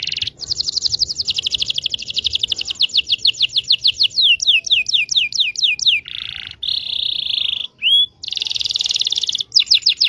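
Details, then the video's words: Indonesian local canary giving a training song for young birds and birds that have stopped singing: fast rattling rolls give way to a series of steep downward-sweeping whistles, then buzzy trills and a single rising note, all high and rapid. "PANCINGAN KENARI MACET BUNYI.. PANCINGAN KENARI PAUD BELAJAR BUNYI"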